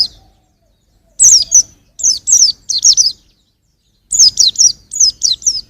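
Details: High-pitched twittering of a young white-eye, quick falling notes grouped in short phrases of two or three, with a pause before a final run of rapid chirps.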